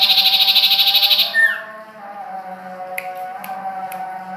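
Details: Sirtu or common iora (cipoh) from Ajibarang delivers a long, rapid, rattling trill that drops into a brief whistled slur. Afterwards only a constant low hum remains, with a few faint ticks.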